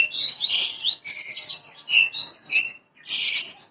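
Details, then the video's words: Bushlark (parva) lure song for prompting a young bird to sing: a short run of rich, buzzy warbled notes and high chirps in quick succession, then a brief pause and another burst. "PANCINGAN BURUNG BRANJANGAN PARVA BAHAN AGAR CEPAT BUNYI"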